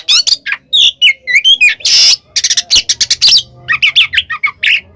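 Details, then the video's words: Oriental magpie-robin, said to be calling a rival, delivering a loud medley of whistled slurs, a harsh rasping burst and quick chattering notes in rapid succession. "suara burung Kacer KEMBAR NGEPLONG memanggil lawan"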